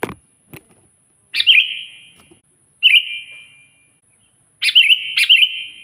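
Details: Sooty-headed bulbul singing to challenge a rival: two clicks open, then four bright, bubbly whistled phrases, the last two close together, each trailing into a long echo.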